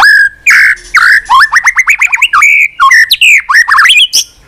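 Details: White-rumped shama in continuous, varied song, flicking its tail on its perch: loud, fluty whistles and fast runs of rising and falling notes, packed densely with only brief pauses.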